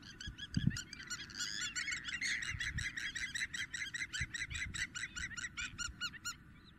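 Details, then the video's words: In Greece in April 2023, a Spur-winged Lapwing gives an intense, fast, insistent run of harsh, metallic notes, several per second and unbroken, over low wind rumble. "Αγκαθοκαλημάνα - Spur winged Lapwing intense call"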